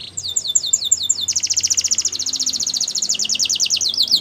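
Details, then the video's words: Russian canary in flute-style singing: rapid trill of bright, high downslurred notes, about three to four per second, then a faster, denser rolling trill with no pause. "Russian Canary Flute Singing"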